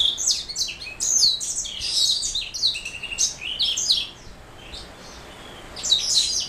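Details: Black-throated mule, a canary cross, singing bursts of bright high twitters and rattling trills, then falling quieter for about two seconds before a final burst of chirps.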